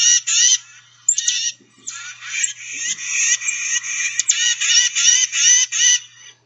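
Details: Tufted Titmouse giving its distinctive "tiska say, say, say" call, like a much raspier chickadee-dee call: a sharper opening note, then a fast run of buzzy, scratchy notes.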